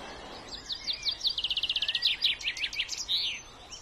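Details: A common chaffinch sings a bright, quick run of notes that speeds into a descending rattle and ends in a sharp flourish, over faint background hiss.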